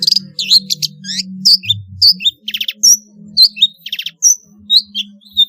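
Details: Long-tailed shrike in full, active song with varied fills, used as a lure to get reluctant shrikes singing: quick rising and falling whistles and slurred notes, bursts of harsh rasping pulses, and a faint low hum underneath.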